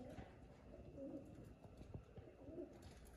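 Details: Happy pigeons cooing: brief low humming coos around the one-second mark and again near the end, set against constant low-pitched background noise.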